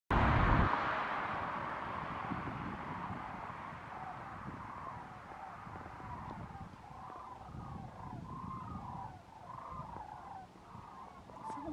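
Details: A large flock of sandhill cranes, close by on Christmas Day, gives rolling, trumpeting rattles that overlap and repeat roughly every half second, over a steady low rumble of wind or distant traffic.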